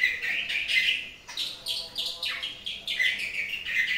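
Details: Long-tailed shrike singing in the morning: a varied run of short chirpy and slurred notes around two to four thousand, with quick rising and falling sweeps and a few sharp trills, phrases following each other closely.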